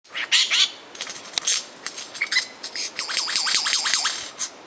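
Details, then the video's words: An Australian lyrebird, a noted mimic, runs through a varied medley: sharp high chips and bursts, then a quick series of looping whistles that swoop up and down about five times. "Bird Sounds From The Lyre Bird"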